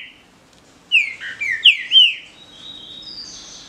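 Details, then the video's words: Captive-bred green-winged saltator in a singing duel, delivering one phrase of four loud whistled notes, slurred downward and up again, followed by softer high, thin trailing notes. "DISPUTA DE CANTO (TRINCA FERRO)"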